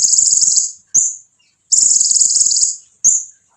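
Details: Van Hasselt's sunbird (konin) singing forcefully to provoke rival birds: two long, very high, dense buzzy trills, each under a second, each followed by a short sharp high note, with silence between.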